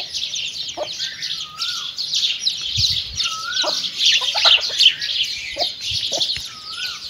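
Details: Chicks with their mother hen while eating: near-constant high cheeping, a few wavering mid-pitched notes and scattered low clucks.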